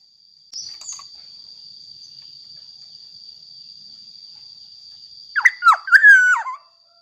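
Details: Black-naped oriole singing, played as a lure to make other orioles sing: a short burst of rich, fluting whistles with slurred downward and upward notes near the end, after a faint high note at the start and a steady high tone throughout.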